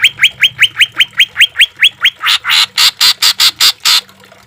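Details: Green leafbird song for caged-bird training: about ten quick rising whistles, then a run of loud harsh broadband bursts before the sound fades.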